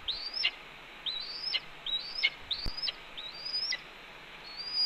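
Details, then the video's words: Red-tailed hawk on its Cornell nest, 28 April 2013 at mid-morning, scolding the mate that delivered a branch; a series of rising whistled notes with sharp downward endings, a click in the middle, then trailing off. "Cornell RTH_Ez Delivers Branch and Gets Another Earful..About the Starlings?"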